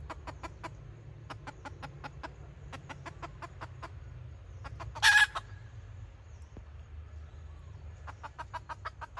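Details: Red junglefowl decoy hen, recorded 2024, giving kataak-style clucking: a long run of short, sharp clucks about four per second, pausing briefly, with one loud harsh burst midway, over a low steady rumble.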